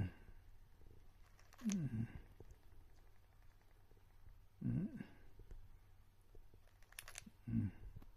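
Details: An elderly, sleeping rosy-faced lovebird snores softly, giving low, rasping breaths about every three seconds over a steady room hum.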